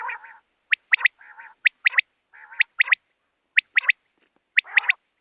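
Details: Female rain quail repeating a tight pattern of a soft nasal buzz followed by sharp, high double or triple notes, the sequence recurring about every second.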